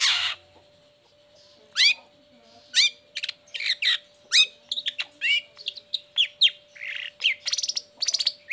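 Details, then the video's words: A long-tailed shrike lure recording for birds that are sluggish or moulting: a varied, fast run of rising chirps, scratchy notes and rapid stuttering trills that grows busier toward the end, over a faint hum. "Cendet Gacor Buka Krodong Pancingan Khusus Buat Cendet Loyo Malas Atau Lagi Mabung Agar tetap Bunyi"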